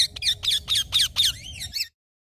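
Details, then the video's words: Green talking parrot giving a fast series of about seven high, scratchy squawks roughly every quarter second, ending in a smoother downward-bending call before silence. "Green Talking Parrot | Cute Parrot Sound | smart Talking Parrot | Usa talk Parrot"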